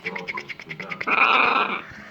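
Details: Macaw, a pet parrot, gives a series of soft rhythmic pulsing sounds, then breaks into a loud, harsh, raspy screech lasting under a second.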